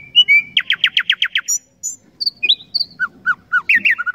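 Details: Common nightingale phrase: a pulsing buzzy trill of seven beats, high thin notes, then a run of falling whistles repeated in quick succession.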